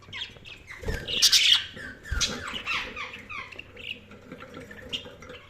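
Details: Budgerigars chirping: a dense, overlapping chatter of quick, high, warbling chirps and squawky notes from several birds, with a few louder bursts near the start and a low background hum.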